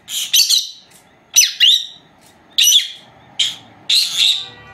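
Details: Two female Agapornis lovebirds aged four months, recorded at nap time by an old camera left running; buzzy shrill chirps in five separate bursts, some with quick upward sweeps.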